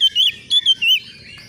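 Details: Young Oriental magpie-robin answering a rival in agitation while seeking an opponent: clear whistled notes in short slurred phrases rising and falling, delivered in a few quick bursts with brief pauses between them.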